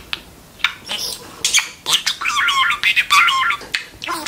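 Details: Talking budgie pet, close by indoors: a few sharp, isolated clicks and chirps, then a rapid run of wavering, buzzy, speech-like warbles that rise and fall in quick succession.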